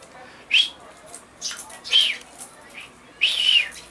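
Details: Common chaffinch (Fringilla coelebs), recorded 22 August 2013: short, bright, high notes in separate bursts about once a second, the last longer and slightly trilled, over faint background hiss.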